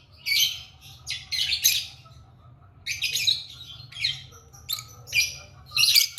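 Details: Lovebird singing and chirping: bursts of harsh, high chattering and squeaky chirps in quick clusters, separated by short pauses, over a low steady hum.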